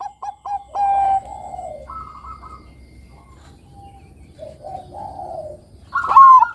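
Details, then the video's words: Bangkok-type zebra dove singing to lure young doves into song: a few short notes, a held tone, then soft rolling coos and a loud rising note at the close. "Pancingan Suara Perkutut Bangkok Kutut Bangkok Gacor Manggung Bagus Buat Mancing Kutut Remaja Bunyi"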